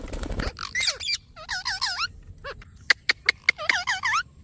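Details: Indian parrot making bent, squeaky whistles in short runs, then a string of sharp clicks, and ending with another run of wavering squeaks, with a rough noisy burst at the start.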